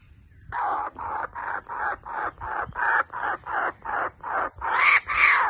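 A kookaburra gives a fast series of harsh, raucous notes, about two or three a second, growing louder toward the end.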